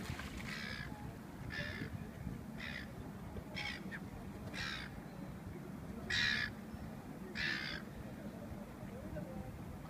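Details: Male Australian wood duck, recorded 07/08/2015, gives seven short, harsh, sneezy bursts, about one every second, over a steady low rumble.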